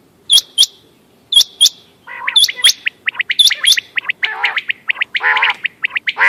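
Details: Quail calling on 14 May 2025, meant for hunting: high paired chirps about a second apart, then a dense busy chatter of short whistles overlaid with harsh buzzy bursts.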